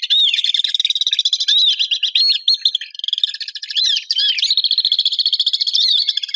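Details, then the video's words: Swift calls: dense, high, buzzy pulsed trills held almost without pause, with sharp rising and falling whistled notes laid over them, several birds seemingly calling together. "SONIDO DE VENCEJO"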